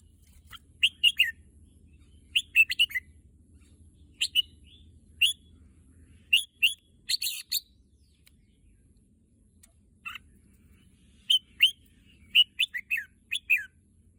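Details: Red-whiskered bulbul kept as a pet, said to be eager for the contest field, delivers bursts of rapid bright whistled notes separated by brief pauses, with a faint low rumble early on.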